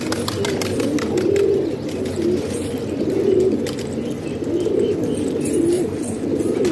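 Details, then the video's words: Hobby pigeons housed indoors in Pakistan, a chorus of deep, wavering coos repeated in short rolling phrases, light clicks and knocks in the background. "Pigeon Sound"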